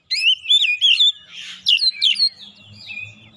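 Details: Provocative oriental magpie-robin song used as a lure: strong, wavering whistled notes in rapid sequence, a short harsh rasp in the middle, then more sliding whistles fading into softer twitters with a faint low hum.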